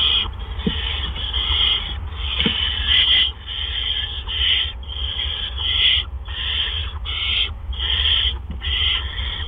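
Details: Rasping hisses from barn owls at the nest as gophers are delivered on an April evening in 2013; about eight harsh breathy bursts, each roughly a second, unevenly spaced, with a few faint clicks and steady hum.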